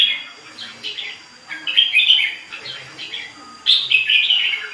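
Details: Continuous song of a ché bird, with bright twittering and whistled phrases in bursts of about a second separated by brief softer gaps, each burst rich in rapid chirps and slurred notes, and a quiet background hum.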